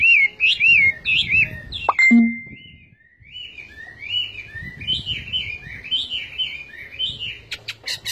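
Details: Chinese hwamei song: rich looping whistles, a sudden pause with one long steady tone, then softer varied warbled phrases resuming, ending with a few sharp clicks.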